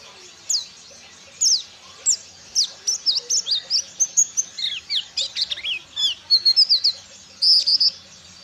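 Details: A Ciremai-type white-eye, a kept songbird learning wild songs (ngalas): a few spaced high chirps build into a long, rapid, chattering sequence of varied twittered notes and slurs, ending in a buzzy trill.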